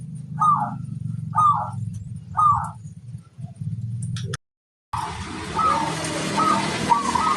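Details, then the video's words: Local zebra dove song used as a lure for other doves: three short rolling coo phrases about once a second, then a steady low rumble like passing traffic under softer, noisier cooing. "Suara burung perkutut lokal paling ampuh untuk pancingan"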